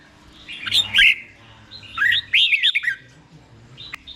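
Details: Caged red-whiskered bulbul song for other birds to learn: two short, somewhat rough bursts of slurred whistles with a faint extra note near the end.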